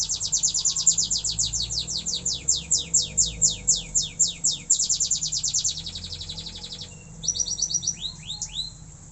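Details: Caged canary learning to sing: long, fast trills of steep down-swept whistles, about two each second, then a shift to tighter, quicker rolling phrases. A steady low hum of background noise runs throughout.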